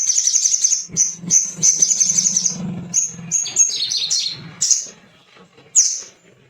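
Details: Little spiderhunter song intended to draw out singing: a quick stream of high chips and short trills, then a few descending notes and two isolated sharp calls, over faint low hum.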